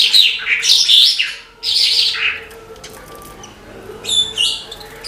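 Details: Vigorous song of a Horsfield's bush lark: about two seconds of loud, fast, high twittering and buzzy notes, then quieter scattered chirps, ending with a short burst of thin whistled notes.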